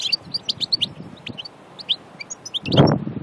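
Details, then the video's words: European goldfinch from Annaba, Aïn Barbar, Algeria, recorded in nature: quick bright twittering notes and short rising chirps in a lively run, with a louder low thump near the end. "Chardonneret Annaba Aïn Barbar 2"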